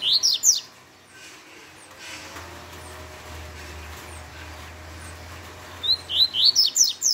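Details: Fast Tui Tui song of a double-collared seedeater: a brief run of sharp, upslurred high whistles, a long gap with a faint low hum, then a longer quick series of about seven rising notes.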